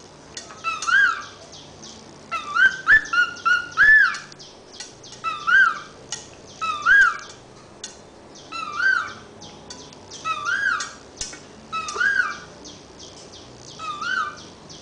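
A cockatiel whistles in clear, rising and falling phrases, repeated in short bursts.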